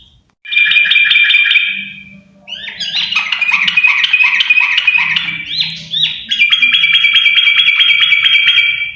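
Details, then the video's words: Two yellow-vented bulbuls in energetic song: a bright, repeated burbling phrase, then a longer tumbling stream of quick, sweet notes rising and falling, and a final steady, rapidly pulsed warble. "Burung trucuk sepasang gacorr!!!!"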